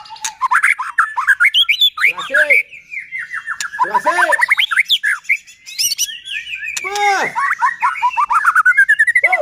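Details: White-rumped shama singing non-stop as a lure to excite other shamas: a continuous varied stream of quick slurred chirps, rattling bursts and several loud arched harsh notes, closing with a rising run of rapid chirps.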